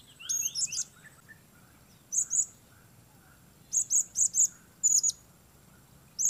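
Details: A solo Sook-strain blue-crowned hanging parrot used for luring calls through bad weather: repeated short, high, shrill tsit notes in pairs and runs of three or four, irregularly spaced, over a quiet background.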